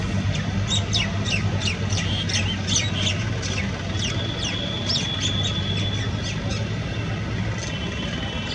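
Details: Brahminy starling calling at Keoladeo National Park, Bharatpur, Rajasthan, India, in December 2018: a rapid series of short, high, descending chirps and squeaky notes, with a steady low rumble of background noise throughout.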